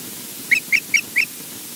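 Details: Osprey filmed by a wildlife camera at Loch Garten in Scotland: four short, sharp chirped whistles in quick succession, about a quarter second apart, over a faint steady background hiss.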